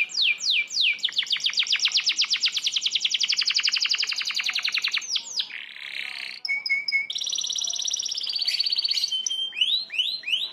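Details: A canary in a training recording used to tutor young birds pours out high, fast rolling trills, opening with quick downslurred notes and shifting into buzzy and whistled rolls.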